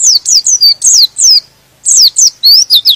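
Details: High, piercing, down-slurred chirps from a white-eye (pleci) in two quick bursts of five or so notes, song used to rouse other white-eyes into vigorous singing.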